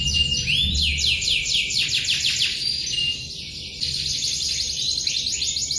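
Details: Long rolling canary song, rapid slanted notes repeated about three times a second in a continuous high trill, with brief pauses and a lower whistled tone near the start; faint low background rumble.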